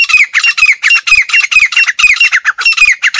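A female grey francolin gives harsh, squeaky notes in a rapid run, about three or four a second, each with a scratchy rising squeal.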